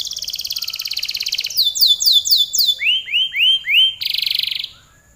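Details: Gacor canary in long song: a rapid high trill gives way to several loud swooping notes that step down in pitch, then a short bright trill before falling silent.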